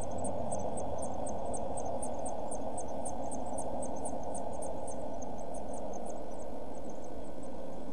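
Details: One-week-old Eurasian blue tit nestlings inside a nest box in June 2014 give a fast, uneven series of tiny high-pitched peeps, about three per second, above a constant low electrical hum.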